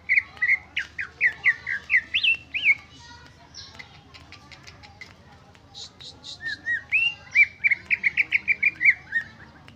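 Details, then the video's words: Greater green leafbird song, unedited with no mimicry fill-in: runs of quick rising whistled notes near the start, a pause with soft chatter, then another fast series of bright whistled slurs. "Suara Cucak ijo Original tanpa isian"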